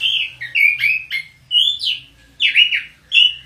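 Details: Orange-headed thrush kept at home sings slurred whistled phrases, rising then falling, in groups separated by short pauses, some with rough buzzy overtones; faint low hum behind.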